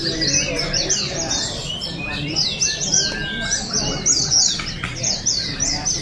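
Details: Contest oriental white-eyes in Balingian, Sarawak, 2023, deliver a continuous stream of bright, high, rapidly repeated chirps and downslurs from multiple birds, with faint murmuring people in the background.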